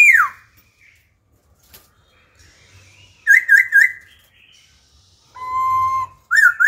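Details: Laughingthrush, an adult from the wild, switching wild-style song phrases to stimulate and train young birds: a loud descending whistle, quiet pause, a burst of three wavy whistles, a steady flat whistle and further wavy notes, faint low hum beneath.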